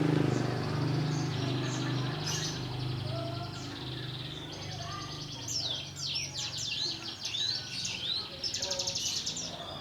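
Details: Young wild prinia learning the ngebrem song style: high buzzy rattles, then quick downslurred whistled notes in the second half, over a steady low hum and faint background noise.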